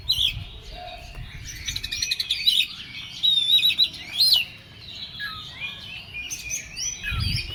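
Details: Oriental magpie-robin singing in an agitated, excited state: a rich run of varied whistles, sharp rising and falling notes and scratchy chatter, loud and nearly continuous, with brief low thumps of handling noise near the end.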